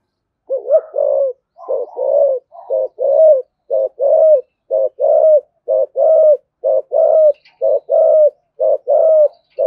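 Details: Spotted dove, a cage-kept calling bird of the Vietnamese thổ sấm style, giving its thúc gù and calling coos: low, throaty, hooting double and triple notes repeated about once per second in a steady series, with no other sounds.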